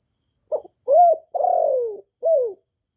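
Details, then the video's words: Spotted dove in Vietnam, kept to coax new birds into singing, giving one full gù phrase. A brief clipped note leads into an arched coo, a long wavering coo sliding downward, and a closing arched coo. "Chim Cu Gáy GỌI+THÚC+GÙ bài bản giúp bổi nhanh nổi, tiếng chim cu gáy việt hay"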